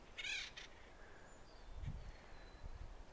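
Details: An Acorn Woodpecker in a Jeffrey pine and black oak grove near the Stonewall Mine area, Cuyamaca Rancho State Park, California, on 9 May 2023, gives one harsh screechy burst, then faint thinner calls, over handling noise and footsteps.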